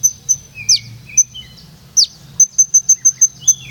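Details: Olive-backed sunbird, Purworejo, in rhythmic rolling song: a few high slurred down-sweeps and lower thin whistles, then a fast burst of evenly spaced shrill ticking notes near the end.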